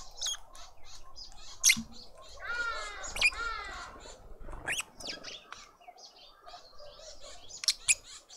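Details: Lovebird family feeding a juvenile at a feeder in a suburban garden in Pretoria, South Africa; a harsh, nasal, harmonic call sweeps through mid-pitch, surrounded by sharp, high clicking chirps and light rustling.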